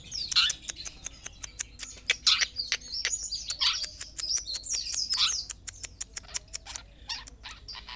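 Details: A young (paud) Sapudi long-tailed shrike sings a fast, varied jumble of harsh chatters, sharp clicks and downslurred whistles, packed densely together with no other sounds.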